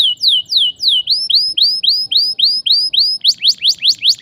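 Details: Canary with a sharp rolling song, played to encourage young canaries to sing: a series of loud rising whistled sweeps, repeated about four times a second, growing faster and steeper toward the end.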